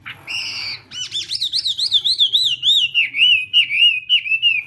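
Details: Chinese hwamei singing in a morning contest and voice training: a short harsh note, then a long chain of clear arched whistles repeated evenly about three times a second, gradually falling in pitch.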